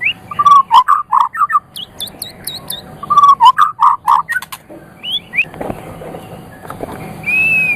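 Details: White-rumped shama singing, intended for training pet songbirds: rolling low whistled notes repeated in two quick series, high thin clicks between them, then scattered upslurred whistles and a long steady final whistle.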